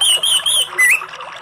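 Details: Orange-headed thrush in relaxed song: a sweet, wavering whistled phrase in three pulses, then a rising slurred note and soft fading twitters.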